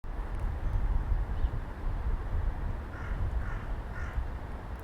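A gull gives three short, harsh, nasal calls in quick succession near the end, over a steady low rumble of wind or surf.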